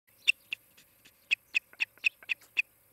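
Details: Osprey at its nest near Charlo, Montana, on the nest cam, morning of 23 July 2018: a loud series of short, sharp chirps, about ten in under three seconds, unevenly spaced, with little else heard.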